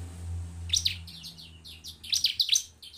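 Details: Bar-winged prinia (ciblek) singing to stimulate other birds to sing; high, rapid chirping notes in two short bursts after a quiet start, over a steady low hum.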